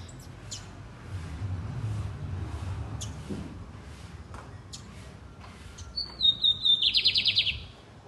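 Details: Loud, deep-voiced lined seedeater song heard after a stretch of low background rumble and scattered faint clicks: a high whistled phrase gliding down, then a rapid pulsing buzzy trill ending abruptly.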